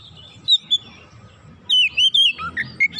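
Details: White-rumped shama singing to draw other shamas into song: two brief whistled notes, then a run of rich, varied whistles and slurred phrases over a low background rumble.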